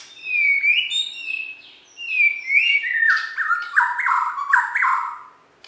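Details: Contest-winning Borneo white-rumped shama from West Kalimantan, Indonesia, sings sweet sustained whistles that then break into a descending series of stepped, warbling notes.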